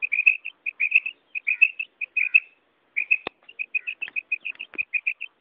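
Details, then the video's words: Karak call of a female batair (quail): rapid strings of clipped, slightly varied chirps, a short gap midway, then steadier repeated notes with a couple of sharp clicks. "mada batair ki beautiful awaz"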